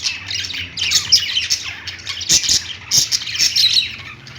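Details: Parakeets chirping on a pet-store perch: a tangled stream of high, quick warbles and harsh squawky notes from several birds, rising and falling in loudness, over a faint low hum.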